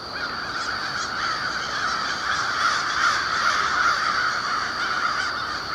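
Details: American crows staging near their overnight winter roost, flying up and down around a low warehouse building just after sunset on October 21, 2021; dense overlapping hoarse caws from many birds form a steady chorus over a constant high hum.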